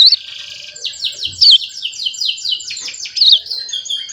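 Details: Juvenile hill prinia (ciblek gunung), a caged bird just over one month old, practising its developing song while tutored with canary and kapas tembak recordings; a rapid run of high, thin, scratchy chirps and twittering trills, sometimes sliding down, with a faint low thump.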